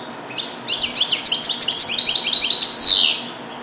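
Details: Captive-bred male European goldfinch born in 2022, trained to sing Neapolitan song passages, recorded alone in a small carrier cage: a 3.7-second run of fast, bright, high twittering notes and buzzy trills, ending in a descending slurred phrase.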